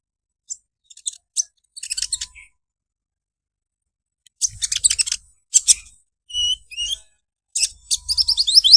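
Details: Olive-backed sunbird 'krecek krecek' song: scattered high, thin chips and scratchy twitter bursts separated by pauses, ending in a fast, jumbled high-pitched trill.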